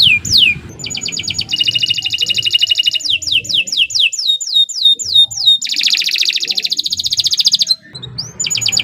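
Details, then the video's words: Canary of a local Indonesian strain singing long and vigorously, for tutoring other birds: descending whistle, long buzzy rolled trill, a series of falling slurred notes, another loud rattling trill, then renewed high notes. "Suara Burung Kenari II GACOR PANJANG Cocok untuk Masteran"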